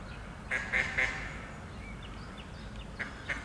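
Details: Mallard recorded on 23 June 2021: three short, harsh quacks in quick succession near the start, then two faint quacks near the end, with soft high thin notes from other birds in between over steady low background rumble.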